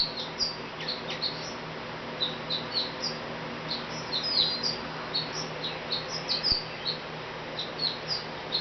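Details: Back-porch sparrow calling persistently: soft, thin, high chirps in rapid scattered series over several seconds, with a constant low hum behind.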